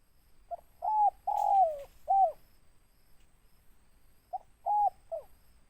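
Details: Big-voiced tekukur, a spotted dove, repeats its cooing phrase twice: a short coo, a long coo sliding downward and a final rounded note, then after a silence a quicker three-note version.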